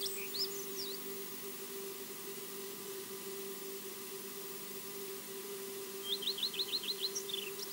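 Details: Osprey calling unseen at the Loch Garten nest in Scotland: a few scattered high chirps, a long quiet stretch, then a rapid run of six sharp notes, with a constant humming drone throughout.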